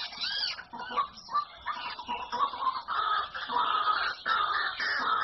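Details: White-breasted waterhen giving a string of rough, croaking calls that start with a few higher, bent notes and settle into rapid, ragged, repeated harsh notes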